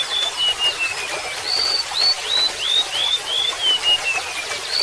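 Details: Golden-bellied gerygone delivering a falling sequence of clear whistled notes, each slurred upward then stepping lower, phrases repeated twice, accompanied by the soft trickle of flowing water.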